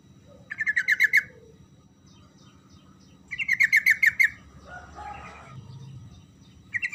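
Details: Sooty-headed bulbul song used to provoke a silent bird into answering: two fast bursts of repeated bright chirpy notes, each about a second long, with a softer warbled phrase after the second, over a low steady hum.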